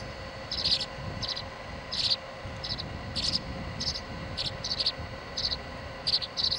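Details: Tree swallow chicks jostling for the feeding position, 26 July 2011: sharp high-pitched chirp bursts arriving every half second or so, some doubled, over a constant faint hum and low rustling.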